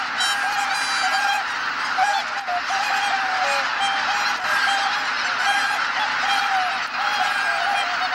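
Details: At Kabukuri-numa at dusk, after sunset, a large flock of returning geese (greater white-fronted and bean geese) call together in a dense, continuous chorus of overlapping nasal honks and yelps, with no pauses.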